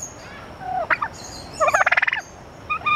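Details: One loud rolling gobble, a quick string of pulsed notes, from turkeys at the San Francisco Zoo, preceded by soft falling yelps and followed by short clucks.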